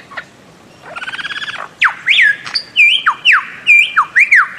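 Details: Bird-of-paradise giving a brief rattling burst, then a rapid series of loud, sharp notes that swoop up and drop, about seven of them in quick succession.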